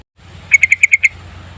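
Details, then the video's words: Lure recording of a yellow-vented bulbul singing steadily: six evenly spaced, sharp chirping notes in a tight run lasting about half a second, with a faint low background hum. "Kicauan Burung Trucukan Pikat Gacor Panjang Full Isian"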